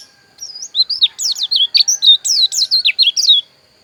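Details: Dakun bali type white-eye from Pupuan, Bali: about three seconds of rapid, high, twittering notes that rise and plunge, closely spaced and energetic.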